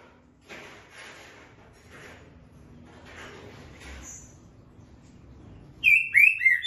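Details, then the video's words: Green-winged saltator (Saltator similis) gives several seconds of soft, breathy rustling, then bursts into a loud phrase of rich, slurred whistles near the end. "Trinca dando canto dobra e boca mole"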